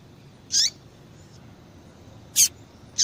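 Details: Calls of a female double-collared seedeater, used to warm up a cold male so he reacts and sings hard. Two brief, piercing high chips about two seconds apart, then the start of a third, with low steady hiss.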